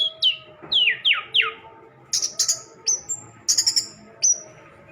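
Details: Orange-headed thrush song opening with a series of loud descending slurred whistles, then switching to short high buzzy notes and thin chirps, repeated in brief bursts over a low background hum.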